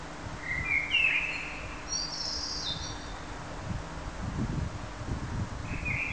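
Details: Blackbird song: a short rich warble, then a high scratchy twitter, and later the start of another fluty phrase, with low rumbling noise underneath.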